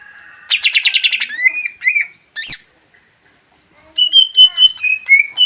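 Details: Greater green leafbird singing to provoke a rival into agitation and song: a rapid burst of high chirps, a harsh note, a short pause, then a string of clear whistled notes.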